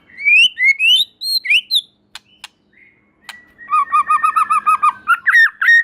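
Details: White-rumped shama song said to make other shamas sing along: rising slurred whistles, scattered clicks, then a long rapid rolling trill of doubled notes ending in bright warbles.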